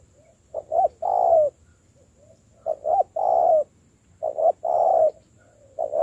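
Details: Spotted dove, a freshly caught bird being taught to work as a decoy, repeats low hollow coo phrases about every one and a half seconds, each a pair of brief notes before a longer drawn-out coo.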